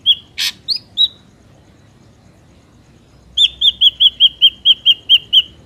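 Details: Ashy drongo sound used as a lure for trapping: a few sharp whistled notes and one harsh rasp, then a steady series of ten clear, slightly downslurred whistles about five per second.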